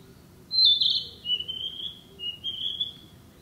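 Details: Narcissus flycatcher singing in the woods, a summer breeder here: a loud high whistled note, then a falling run of sweet, slurred whistles over about three seconds, with quiet low rumble behind.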